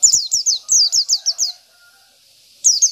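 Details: Local Oriental white-eye singing in the isian style, used as tutor song: rapid series of high, sharply falling whistled notes, about two to three per half second, then a short pause before another burst.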